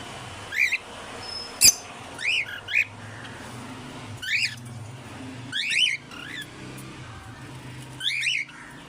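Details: An African grey parrot, aged 30, at the Knoxville Zoo performs impressions: short squeaky chirped whistles in clusters of two or three every second or so, with a sharp click and a low indoor hum.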